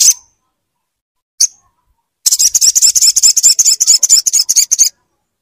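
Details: Crimson sunbird, used as a tutor song for a bird that has stopped singing. Two separate thin, high chips are followed by a rapid, slightly uneven trill of piercing notes lasting nearly three seconds.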